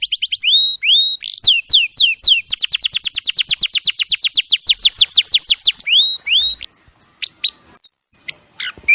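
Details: A bird from a masteran training song: a rapid series of sharp, falling whistled sweeps that speed up into a dense run, then scattered high notes and chirps.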